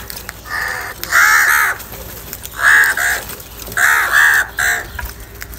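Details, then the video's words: Crows calling in anger, fighting and asking for food: a run of loud, raspy, nasal caws, often paired, about five in under six seconds at an uneven pace, with faint background clatter. "Crow bird live Cowing sounds - Crow bird unity anger and sound for food | Crow fighting"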